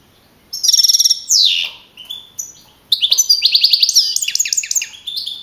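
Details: European goldfinch of wild type, a young male that won a 2012 singing contest in Navalcarnero, Spain. Fast trilled bursts and a descending slur, then a long run of bright rising twittered notes.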